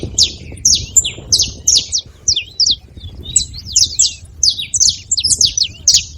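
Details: High, sharp, downward-slurred chirps from a saffron finch at a feeder, given in uneven clusters, with some paired notes, and light low background noise.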